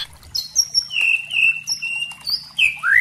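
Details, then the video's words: White-rumped shama song used as a lure and tutor to prompt young spotted shamas to sing loudly: long clear whistled notes held near one pitch, with higher thin whistles above and a rising slurred whistle at the end. "Pancingan murai trotol agar ngeplong dan murai batu pastol agar BUNYI GACOR | Masteran murai trotol"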